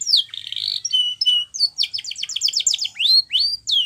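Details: Spanish Timbrado canary training song opening with a falling note into a buzzy rattle, then flat whistles, a fast run of repeated rising notes, and a few upswept slurs.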